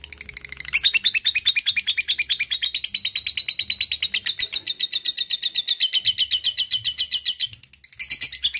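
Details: Long ngekek song from a lovebird: a dense, even stream of shrill chattering notes running for over seven seconds, dipping briefly near the end before resuming.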